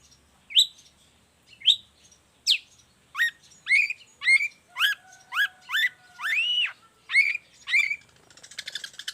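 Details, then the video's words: Long-tailed shrike song for tutoring and luring other shrikes: a varied series of sharp upslurred and downslurred whistled notes, quickening toward the middle, ending in a soft rattling buzz. "Cendet gacor cocok buat masteran juga pancingan cendet lainnya"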